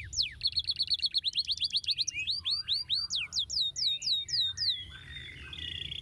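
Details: Canary song played to stir quiet canaries into answering: a quick rattling trill, slurred upward whistles, then slower clear downward sweeps spaced about three per second, fading into soft warbling.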